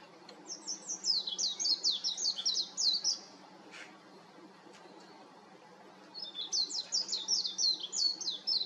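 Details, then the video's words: Warbling white-eye on an electric wire delivering two long bursts of rapid, high, jumbled warbling notes separated by about three seconds of near silence with a faint click. "メジロの美声 (4K) / White-eye's beautiful voice (4K)"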